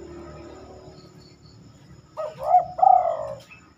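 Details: Night-time song of a spotted dove, unusual for this species: after a low background hum, one low, hollow coo phrase of a brief rising note and a longer sustained coo.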